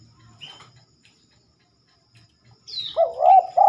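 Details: Spotted dove singing at night, which it rarely does: after faint high chirps and near-silence, a loud wavering, warbling coo phrase begins in the final second and is cut off at the end.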